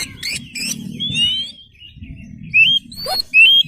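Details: Oriental magpie-robin (kacer), a lively singing bird, with short twittering bursts, then drawn-out rising whistles and two loud clear whistled notes near the end, over a low murmuring background.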